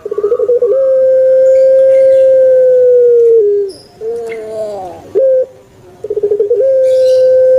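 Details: Puter pelung turtle dove, kept, repeating its long coo: rapid stutters rise into a drawn steady hoot, a lower coo and rolled phrase, a clipped note, then stutters and another long tone.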